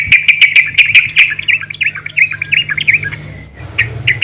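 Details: Yellow-vented bulbul female calling to a male, used to prompt bulbuls to sing: a fast run of sharp clicking chirps flows into warbling, wavering notes, then a short pause and a few more chirps, with a faint low hum throughout.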